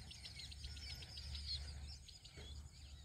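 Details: Outdoor house sparrow chirps: quick, high, slightly buzzy notes repeated about four times a second in an uneven run, fading toward the end, with a constant low-pitched hum beneath.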